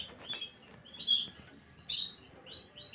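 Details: Short snatch of Gloster canary singing, 9 January 2023, with a few bright high chirps and a clear piping note separated by brief gaps.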